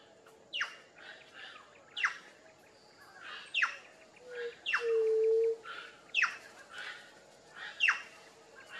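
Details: White-tipped dove, known locally as juriti-pupu, giving one low, hollow, steady hoot, while another bird repeats sharp descending chirps about every one and a half seconds.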